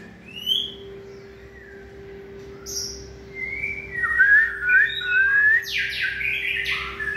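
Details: White-rumped shama in peak form, 2020 season: scattered soft whistles building to a wavering whistled phrase and bright high notes, over a steady low electrical hum.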